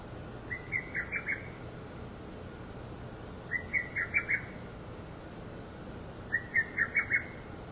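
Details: Lesser cuckoo, which calls both day and night, gives three loud, clipped phrases of about five quick whistled notes, repeated roughly every three seconds over a soft background hiss.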